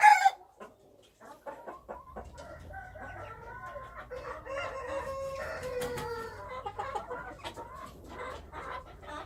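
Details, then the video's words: Wild chickens calling: a loud burst at the start, then a run of overlapping harmonic clucks and drawn-out tones, including a falling note near the sixth second, over a low steady hum. "Noob qaib qus Qaib dib qua zoo - wild chickens"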